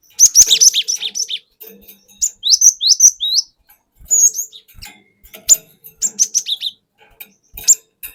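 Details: Wild-caught cinereous tit from the forest, used as a lure, singing a long rolling 'wucit wuit' song: dense bursts of high, sharp chirps and downslurred whistled notes in quick runs, with short pauses between bursts.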